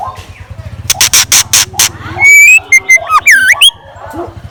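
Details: Scarlet minivet kept as a decoy sings at dawn: a rapid train of loud clicks, then a rising whistle, a flat note and a deep V-shaped swooping whistle, over a low mechanical hum.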